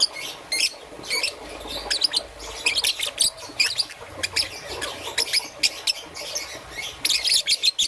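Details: Young peach-faced lovebird, green and yellow, chattering in the morning with rapid, rasping high chirps in irregular clusters, nearly continuous throughout.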